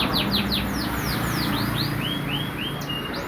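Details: Canary singing; a fast series of high sweeping whistled notes, first rapid downslurs and then slower rising slurred notes, over a loud steady background hum and hiss.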